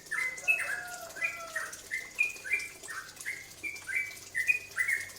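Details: Cucak ropel bulbul singing as a lure to provoke other birds to sing: a steady string of short, bright whistled notes sliding downward, roughly three per second, with faint lower tones beneath.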